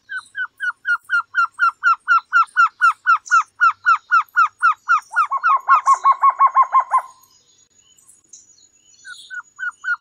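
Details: Long even series of short hooked notes from a trogon of tropical American forest, about two per second, overlapped midway by a faster second caller's rattle, then a pause and a few final notes.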